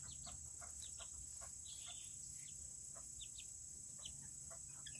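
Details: Serama chickens, the smallest chickens in the world, inside their coop; faint, high, short down-slurred peeps and clucks come irregularly from several birds behind a steady hiss and a high electrical tone.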